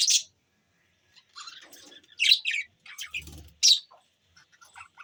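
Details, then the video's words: Pet budgies recorded on December 25, 2023: soft, scattered chirps and warbled twittering notes in irregular bursts, with a few sharper high chips and a brief low buzzing sound midway. "chirping sound budgies birds"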